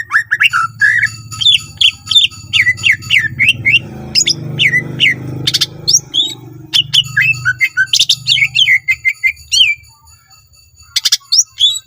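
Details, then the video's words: Greater green leafbird singing a lively, full song used to lure other leafbirds into singing: rapid slurred whistles and sharp chips, some rising and some falling, in dense bursts broken by short pauses, with a low hum underneath. "cucak ijo gacor full isian mewah sangat ampuh pancing c ijo lain agar ikutan rajin bunyi"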